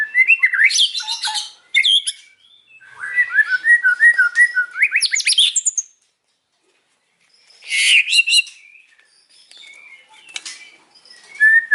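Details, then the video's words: White-rumped shama afternoon song in loud varied bursts of chattering, slurred whistles and rapid trills, broken by a pause of a couple of seconds before another harsh, busy phrase. "KICAUAN MURAI BATU SORE HARI"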